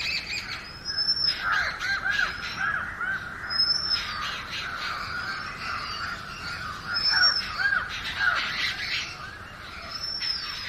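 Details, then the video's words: Oriental magpie-robin singing: high, clear whistled notes that arch up and fall, repeated every second or two over a dense background of chattering birds. "Magpie Robin Singing 🎶 7-Different Sweet Melodies of Magpie Robin 🐦Oriantal Magpie Robin calls"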